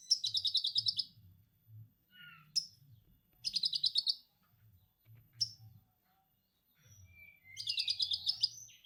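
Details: Orange-headed thrush delivering song loaded with lovebird ngekek material: three bursts of rapid rattling chatter separated by clipped whistles and low slurred notes, over a soft low rumbling murmur.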